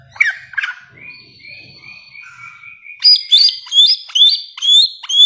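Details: Bare-throated whistler, known locally as samyong, in a long master recording for tutoring song: rough chirps, then a row of short flat whistles, then loud rising whistled notes repeated about twice a second.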